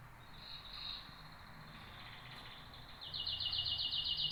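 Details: Canary song opening with a soft high sustained trill, fading into quieter background, then ending in a loud rapid rattling trill of bright repeated notes, roughly four per second.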